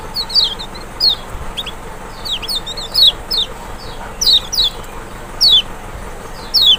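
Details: Lemon-bellied white-eye from Lombok or Sumbawa, played to draw a response from a bird reluctant to sing: lively, loud high downslurred notes, sometimes doubled or tumbling together, in an irregular fast run.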